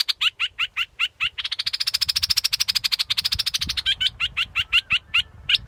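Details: Scarlet-backed flowerpecker: a string of sharp high ticking notes, a long rapid buzzy trill through the middle, then more clipped notes spaced unevenly to the close.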